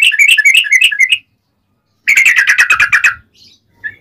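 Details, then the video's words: Agitated yellow-vented bulbul in 'ropel panjang' lure song: a second of bubbly rising whistles, a pause, then a dense, faster burst of buzzy rapid notes, ending with a faint single note. "SUARA trucukan gacor ROPEL PANJANG buat Pancingan trucukan agar bunyi"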